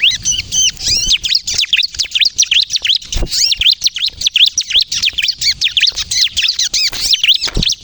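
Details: Ciblek kristal bar-winged prinia in sustained, excited song for luring and stimulating other prinias; an unbroken stream of quick high V-shaped chirps, repeated several times a second for nearly eight seconds.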